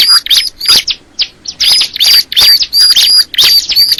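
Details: Bar-winged prinia delivering quick high chirps and thin whistled notes almost three per second, with a brief quiet gap before the song resumes.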